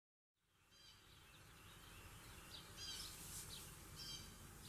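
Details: An adult male Painted Bunting, rare in Pennsylvania, gives faint, high, thin chirps and short twittering bursts every second or so over a steady low rumble. Recorded 22 February 2020 in winter, Lancaster County, Pennsylvania; an adult female Eastern Bluebird is also present.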